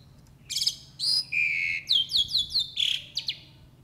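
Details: Jalak uret starling in full isian song: a dense string of sharp whistles, a level buzzy note and quick descending slurred notes repeated in a short run, loud and clear over a faint low hum.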